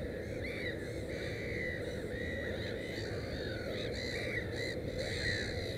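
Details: Black-headed gull at a nest with three chicks: harsh, arched calls repeated every second or so, several overlapping, over a steady low background rumble.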